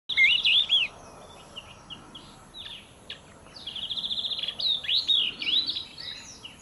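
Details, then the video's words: A yellow-eyed babbler sings bright, high, slurred whistles and rapid chattering trills, delivered in two lively bursts with short pauses between. "Yellow-eyed Babbler Singing"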